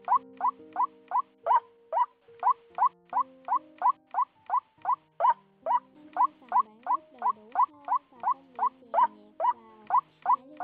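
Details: Lure recording of white-breasted waterhen single-note calls, end of the 2020 season, used for catching birds: a fast, steady run of short hooked notes, nearly three per second, over soft low sustained tones.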